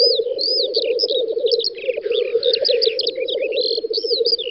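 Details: Several black grouse lekking on a spring field in western Russia's Volga federal district, 9–10 May 2019: a steady, rapidly pulsing low bubbling chorus runs throughout, with a hissing rush midway and many higher whistled calls of other birds above.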